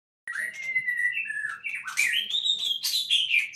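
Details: White-rumped shama singing at a breeding site: a long whistled phrase sliding gently upward, then rising into brighter, higher warbled notes with harsh buzzy bursts mixed in.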